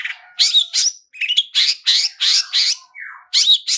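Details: Long-tailed shrike in full chattering song, rich in mimicked phrases, used as a lure to trigger singing: bursts of harsh, buzzy high notes at an uneven pace, with a falling whistled slur and brief pauses between phrases.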